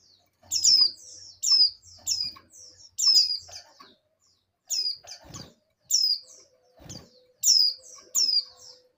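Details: Breeding-condition female oriental white-eye calls for a male, giving sharp high downslurred tweets in clustered pairs, plus faint low hum and soft rustling in the background.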